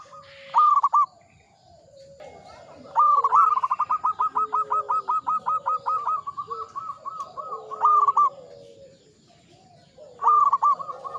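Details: Mature local zebra dove singing eagerly: a brief clipped phrase, then a long even string of rapid staccato coos, then further short bursts, over quieter lower-pitched cooing from other doves.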